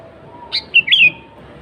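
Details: Sooty-headed bulbul singing actively in its natural voice, meant to lure wild bulbuls: a clear phrase of three notes, one high and brief, then two fluty notes dipping and falling.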